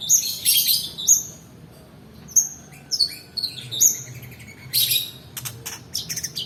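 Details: Long-tailed shrike song for luring silent birds and training others: loud bright chirps in short bursts separated by brief gaps, with a tight cluster of sharp ticking notes near the end.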